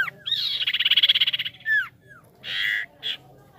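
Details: Javan pied starling in nerve training, giving a harsh rattling burst of rapid pulses, then a downslurred whistle and two rough squawks, loud and close.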